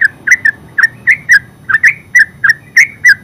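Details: Terucuk, the yellow-vented bulbul, ngeropel song: bright whistled double notes repeated in quick succession over a faint low hum.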